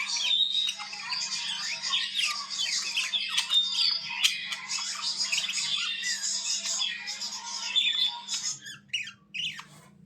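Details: Budgerigars playing and jumping while they warble in a dense, chattering stream of squeaks, clicks and rasping notes.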